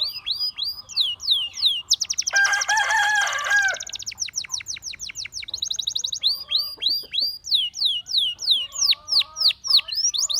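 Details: Gloster canary song: quick downward-sweeping whistled notes in series, a dense buzzy rolling trill in the middle, then more rapid slurred phrases and short warbled notes.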